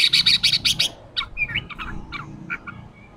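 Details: Red-whiskered bulbul in ché training: an opening burst of six harsh, loud chattering notes in under a second, followed by softer short whistled notes scattered across the rest.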